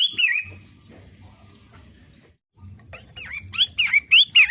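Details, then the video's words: Long-tailed shrike of the form locally called pentet matahari, giving its daily song: a harsh, buzzy opening note, a quiet pause, then a quick run of five loud, scratchy, slurred notes, over a faint low rumble. "Kicau harian Pentet matahari?"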